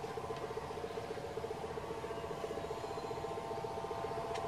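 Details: A bronze-tailed peacock-pheasant of subspecies chalcurum, on the lower slopes of Mt Kerinci, west Sumatra, Indonesia, on 27 July 2024, gives a rapid, steady train of low, dry clucking pulses at an even pitch over a faint forest hiss.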